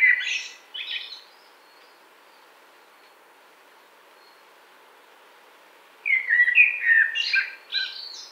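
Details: Common blackbird, Wittlich, 2018: the end of a phrase with high twitters, a long silence, then a new burst of fluty whistles mixed with scratchy high notes.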